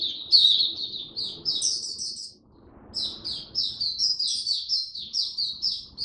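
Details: Oriental white-eye, kept and on a weather-adjusted diet, 8 October 2022, sings quick sweet chirping phrases, falls silent briefly around two and a half seconds, then resumes a fast, jumbled high warble.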